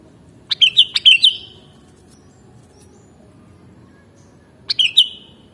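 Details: Kutilang, the sooty-headed bulbul: a quick bubbly phrase of three or four whistled notes, a pause of about three seconds, then a similar shorter phrase. Background is hushed.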